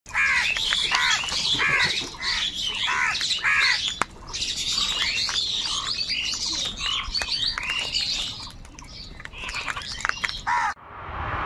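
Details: Several crows fight with each other over food, cawing over one another in a harsh, rapid, overlapping squabble that barely pauses and cuts off abruptly near the end.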